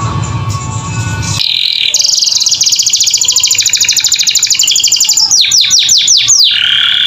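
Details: Caged canary in full, constant song, used as tutoring audio for pet birds: after a second of rough low noise, a long rapid metallic trill runs on, ending with several sharp down-slurred whistles.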